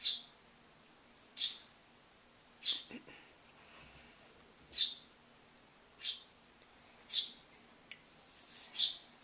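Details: Hand-raised baby starling, female, conditioned to expect feeding after a door shuts, begging; short high hissy rasping bursts repeated roughly every one to one and a half seconds, with a faint low thud near the start.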